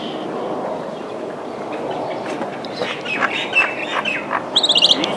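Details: Common myna, Kashmir, giving harsh, chattering notes, ending in a quick burst of five or six sharp, high clicks, over a steady background rumble.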